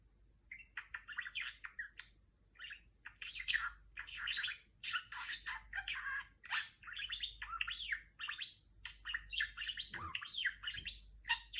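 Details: Female pet budgerigar imitating R2-D2 sounds: a long, busy warble of clipped chirps, raspy bursts and looping whistles, with brief pauses between the phrases.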